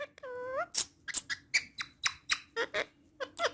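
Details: Female ringneck parrot that talks in Urdu and Hindi: one rising harmonic syllable followed by a quick series of squeaky, clicking speech-like bursts.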